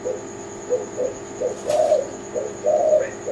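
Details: Kelantan-type tekukur, a spotted dove, cooing repeatedly: short low hoots about once a second, rounded off by two longer, stronger coos, with a thin constant high-pitched hum behind and a brief rustle.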